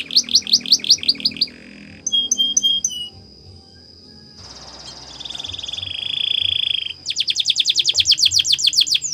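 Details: Canary training song: rapid series of bright descending sweeps, a pause, a few short high notes, then a smooth buzzy roll and another fast run of sweeping trilled notes, over a faint steady high tone.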